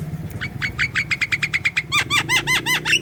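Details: Javan myna in full lively song, played as a lure to get young, silent or lazy mynas calling: a fast run of harsh rasping notes, then a string of loud arched, whistled notes repeated about twice a second over a low hum.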